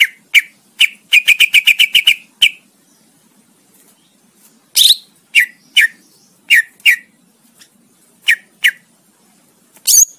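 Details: Greater green leafbird used as a master for competition songbirds: an opening rattle of about ten quick, even notes, then scattered single chirps and short slurred notes spaced through quiet gaps.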